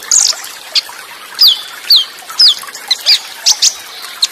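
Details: Olive-backed sunbird delivering cililin-style bursts with quick rolls and short pauses: piercing high chips alternate with sharp down-swept whistled notes, roughly two per second, against faint running water.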